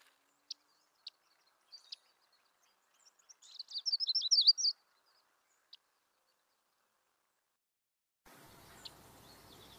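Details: Myrtle warbler singing: a few sharp isolated ticks, then a brief rapid trill of high, sweet, wavering notes lasting just over a second, followed by silence and a patch of faint hiss.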